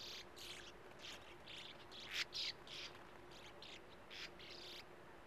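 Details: Sand martins at a breeding colony in a small earth bank with a steep face at a gravel-pit lake; young at burrow entrances await their parents. Dry, rasping chirps in quick irregular bursts, several birds overlapping, faint low hum beneath.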